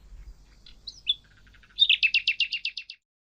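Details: Mockingbird singing two separate whistled notes, a soft murmur, then a fast burst of about nine identical buzzy chirps repeated in quick succession before abrupt silence.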